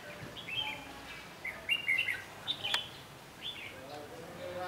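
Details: Caged red-whiskered bulbul used as a lure to trap wild birds, recorded outdoors on 14 May 2016 in Vietnam. It gives short, bright whistled phrases in scattered bursts, with men talking quietly and a steady background hiss.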